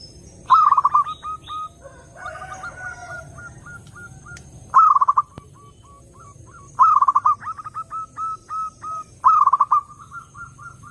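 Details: Clear zebra dove song used as a lure: loud stuttered bursts of rolling coos recur every two to three seconds, each followed by a train of soft short even notes, with a lower wavering call briefly behind.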